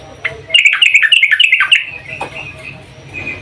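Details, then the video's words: Calling female yellow-vented bulbul summoning the male: a loud, lively burst of varied, tumbling chirps and warbles lasting about a second and a half, tailing off into softer notes. "Kicau trucuk BETINA memanggil JANTAN"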